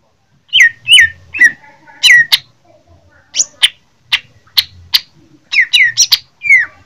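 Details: Greater green leafbird from Jember, Indonesia, giving fighting song: loud downslurred whistles and sharp clicks in irregular clusters, with short gaps between bursts.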